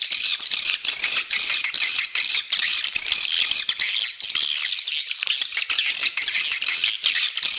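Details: Calling sound for swiftlets, meant to attract the birds and boost their numbers: an unbroken, shrill, buzzy twittering mass with rapid rattling clicks layered through it and slight rises and falls in intensity.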